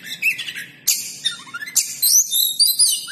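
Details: Caged oriental magpie-robin, 'kacer pinggiran' type, delivering 'full materi huwambi' material: loud bursts of shrill rising and falling whistles mixed with buzzy, scratchy notes in quick succession.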